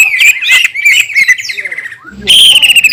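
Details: Green leafbird (cucak ijo) song intended to provoke rival green leafbirds: fast, rich warbled notes that slide downward in a chattering stream, a brief pause, then a loud sustained burst of high whistled warbling.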